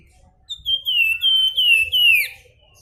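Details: Javan Fulvetta (flamboyan) singing in the flute-like nyuling style: a loud series of five clear whistled notes, each sliding slightly downward, the last falling more steeply, with faint low rumble beneath.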